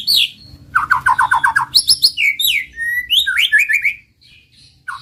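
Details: White-rumped shama, male, delivering a varied master song to excite silent birds: a sharp descending note, then a rapid run of mid-pitched chattering notes, bright slurred whistles and a trilled phrase before a short gap.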